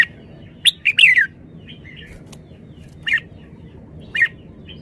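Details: Red-whiskered bulbul heard in bursts of short, bright whistled notes sliding downward, a quick cluster near the first second then single phrases about every second, with faint softer chirps between over a low steady background hum.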